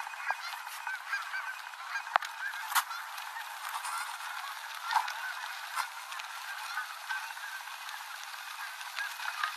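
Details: Canada geese spiralling down at day's end to land with full flaps on the Rogue River in Oregon, recorded from a bicycle on a dirt road; scattered honks over a steady noisy background with occasional knocks.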